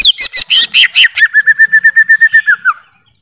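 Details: Greater green leafbird song: fast, varied high whistles that drop into a rapid, even string of lower repeated notes, about five per second, before ending.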